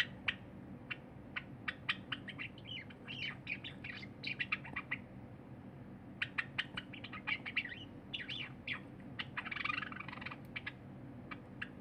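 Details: A pet cinnamon Java sparrow sings on 23 January 2021 as a silver Java sparrow eats; two long phrases of rapid clicks and tinkling notes, each ending in a buzzy, rattling flourish, against faint hum.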